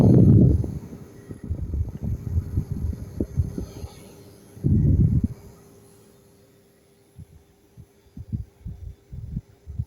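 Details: Low thumping bursts and a steady hum, with quieter knocks toward the end; no animal voice is heard.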